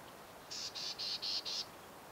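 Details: Black-tailed Gnatcatcher at Sweetwater Wetlands, Tucson, Arizona, giving a series of five harsh, buzzy, high-pitched notes in quick succession, about four per second, over a quiet background.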